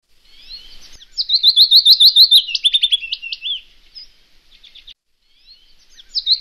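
Wood warbler giving its high, shivering trill: quick ticking notes that speed into a rapid, metallic run lasting about two seconds, followed by softer scattered notes.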